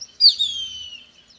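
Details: A Plumbeous Kite, heard among urban city birds, gives a thin, high whistle that slides steadily downward.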